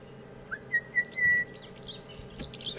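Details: On a morning drive at Djuma Game Reserve, South Africa, on 2 April 2015, a hidden bird calling very close, believed to be an Orange-breasted Bushshrike, gives clear whistled notes: two short hoots, then a longer level whistle, over a low rumble.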